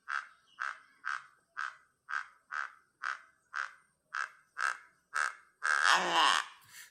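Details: Horned Guan alarm call in Guatemala, where adults and a juvenile feed on fruits: a steady series of about a dozen harsh, nasal notes, roughly two per second, ending in a louder burst of broad noise.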